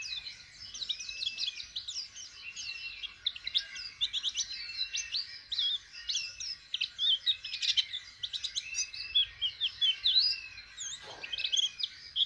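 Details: A pet white-eye learning to open its beak in song pours out a fast, unbroken stream of high, thin twitters and tumbling warbled notes for twelve seconds, with one brief scratchy rustle near the end.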